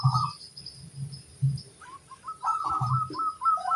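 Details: Local zebra dove singing vigorously: after a pause, a run of quick, short cooing notes in close series, broken into phrases, over low dull thumps and background hum.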